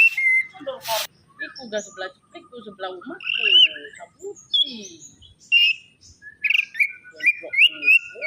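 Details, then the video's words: Opior songbird singing vigorously in a varied, unusual song: clear whistled notes, buzzy rising slurs and rapid chattering phrases, with a brief broadband burst near the first second. "Opior Suwara Unik Gacor"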